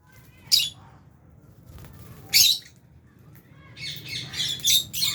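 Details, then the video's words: Aviary lovebirds, albino and Fisher's, at mealtime with budgies: two sharp isolated squeaky chirps, then a denser run of rasping high chirps near the end. "Lovebirds Chirping Sounds"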